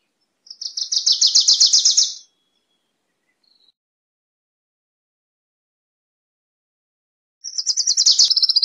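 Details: Wilson's warbler singing two rapid chattering phrases, each a quick run of high chip notes lasting under two seconds, the second dropping slightly at the end, separated by a long quiet pause.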